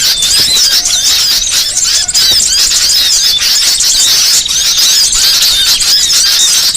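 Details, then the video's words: Training track of small birds in varied song: dense, high-pitched twittering with quick rising whistles and trilled runs, continuous with no quiet gaps. "MASTERAN BURCIL VARIASI"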